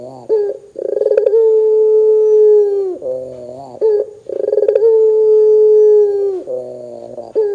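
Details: Calling Barbary dove, used to prompt other doves to join in: two cycles of a quick rattling burst followed by a long, even, hollow coo, each ending in a lower, buzzy nasal phrase.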